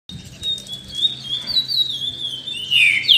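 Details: Green-winged saltator in a warm-up singing session paired with a chestnut-bellied seed finch: a thin, steady high whistle runs throughout, then loud, clear whistled notes slide downward near the end over low background hum.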